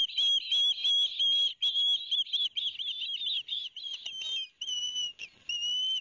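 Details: During a fish delivery by the father at a Barnegat Light, New Jersey nest on 13 September 2021, two young ospreys give fast, piercing chirped whistles, then longer steady high whistles near the end.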